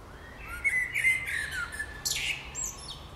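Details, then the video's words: Birds singing in spring, with a fast run of clear whistled notes wavering at mid-high pitch, ending in a bright buzzy trill and a thin high note. "Wiosenny śpiew ptaków"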